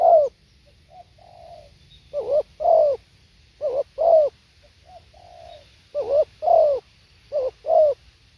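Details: Live recording of a spotted dove's song: repeated rounded double coos, low and slightly descending, separated by soft sustained hums, over a quiet background.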